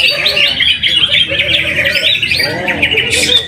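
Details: A first-place greater green leafbird is caged at a weekly practice singing event in Mojokerto. It pours out a continuous stream of quick, varied chirps and warbled whistles. Background voices and competing birds are audible.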